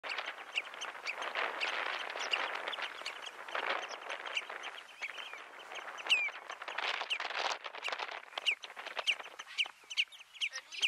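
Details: Dunlin (Calidris alpina schinzii) on Flatey, Iceland, in June 2019, calling with thin, buzzy, high notes and quick chirps and a few short whistled slurs over a busy rustling background with other faint birds.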